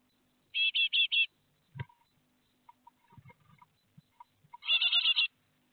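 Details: Great tits at their nest in Théding on 12 May 2021, the young fledging; two tight bursts of four to five harsh, evenly spaced chirps, with quiet clicks and knocks in between.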